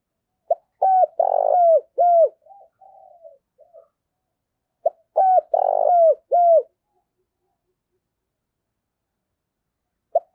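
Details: Morning cooing of a decoy spotted dove kept to call in wild birds: two repeated phrases of deep, rounded coos, the first trailing off in soft murmuring notes, then a pause and the start of another phrase.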